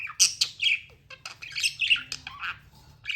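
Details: Budgerigar chirping in quick bright squeaks and wavering warbles, several loud sharp notes close together, faint low hum.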